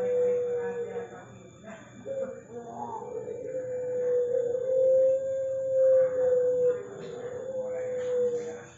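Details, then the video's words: Puter pelung dove with a long, steady, pure coo, held for several seconds amid mixed background chatter and noise. "9 Puter Pelung, suara dan karakter berbeda"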